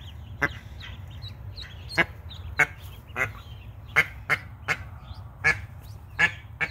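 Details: A protective mallard hen that has just hatched 12 ducklings gives harsh, rasping quacks in irregular bursts, about nine in seven seconds, over a low steady rumble.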